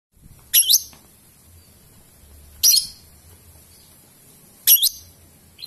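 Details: Lovebird calling in a ngetik and long ngekek style: three sharp, very high shrill chirps, each with a quick downward sweep, spaced about two seconds apart over faint low background hum.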